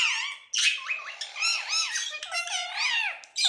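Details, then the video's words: Indian ringneck parakeets kept as pets indoors while molting; rapid harsh squawks and rising-falling arched whistles, stepped and wavering, running in long phrases with short gaps, in a small room. "Cute Indian Ringneck Parrots Talking"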